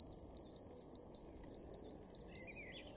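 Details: In a garden in Weener, East Frisia, northwest Germany, in May 2022, a great tit sings a bright two-note 'tea-cher' phrase, a high note dropping to a lower one, about twice a second, over a low background hum.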